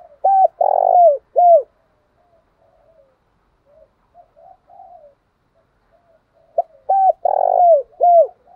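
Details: Spotted dove used as a fight-provoking lure gives a loud coo phrase twice. Each phrase is clipped notes framing a long burry coo. Quieter cooing from another dove fills the pause between them.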